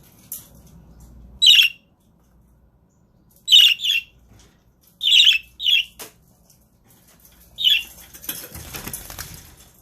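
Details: Budgerigars on a webcam live stream: a run of sharp, grating chirps, some in quick pairs, spaced irregularly, ending in rustling and flapping noise.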